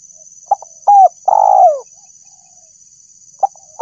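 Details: Spotted dove lure call: quick short notes, then a drawn-out descending coo, then a pause before the next phrase begins, over a faint steady high-pitched hum.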